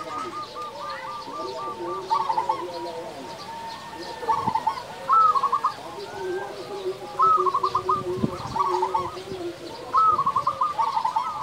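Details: Loud local zebra dove, its song used as a lure for other doves: a run of even coo notes, then repeated bursts of rapid, rising trills every two to three seconds, with other doves cooing more softly.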